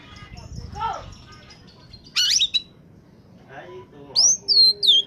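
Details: Oriental magpie-robin singing in top condition, used to lure birds: a harsh scratchy burst, quieter nasal notes, then loud whistled downslurred phrases, over soft background noise.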